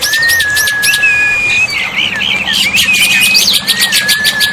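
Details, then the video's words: Black-winged myna song used as a tutor to get silent birds responding: sustained steady whistles alternate with rough chattering bursts, the whistles returning again and again over a constant background. "masteran burung jalak putih, jalak putih macet pasti nyaut"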